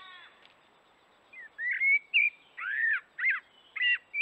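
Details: Morning song of a common blackbird beside a watering hole, a run of about six short separate phrases over four seconds, mixing fluty whistles with scratchier, arched notes.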